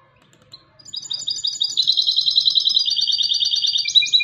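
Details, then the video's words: A European goldfinch hybrid gives a sustained, rapid twitter of high, metallic notes that swells in volume and ends in a louder, higher flourish. A faint low hum sits underneath. "UN RATITO DE CANTO DE MIXTO DEL JILGUERO ** تغريد هجين الحسون"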